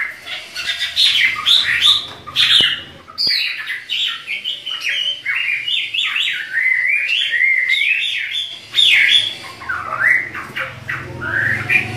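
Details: Chinese hwamei duet of two cage birds: long, varied stream of loud whistled and slurred phrases, rapid up-and-down notes, short pause then more rolling whistles, with a faint low hum underneath.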